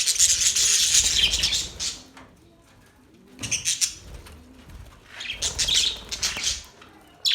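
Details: Budgies chirping in bursts of dense, scratchy high warbling, each lasting about a second or two, separated by short quieter gaps with faint low background murmur.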